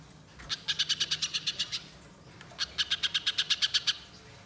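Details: Spiderhunter giving a long chattering lure song: two bursts of quick, sharp high notes, roughly a dozen each, separated by a second-long pause, with a quiet background.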